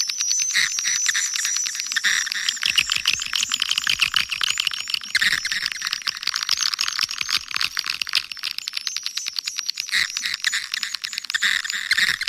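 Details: A crowd of swiftlets in Kampar, Riau, giving calling and roosting sounds: steady, high-pitched twittering and chittering with quick repeated clicks, layered thickly and continuing without pause.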